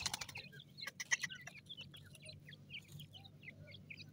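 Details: High chirps from francolin chicks feeding in forest, some loud sharp clicks and taps at the start, then scattered, thin, rising peeps continuing at uneven intervals above a faint low rumble.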